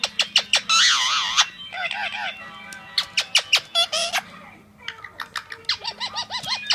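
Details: Blue male Indian Ringneck kept as a pet, chattering at a mirror with rapid clicks, squawky speech-like phrases and rising wavy whistles, delivered in quick bursts.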